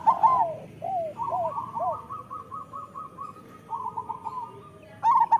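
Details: Zebra dove master song for training local doves: loud stuttered coos at the start, then quieter drawn-out coos and long runs of soft, regularly repeated notes, ending with another loud burst.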